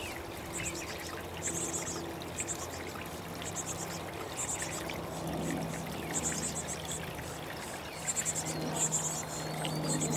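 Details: Chickadee chicks being fed give very high, hissy begging bursts in rapid clusters every second or so, likened to laughing babies, over a steady low hum and a watery rushing background.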